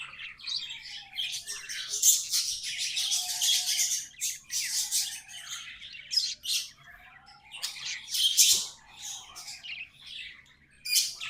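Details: Pet budgerigars singing: loud, sustained scratchy chatter in pulsing bursts, with several quiet whistled swoops curving up and down through the phrases and a few sharp clicks.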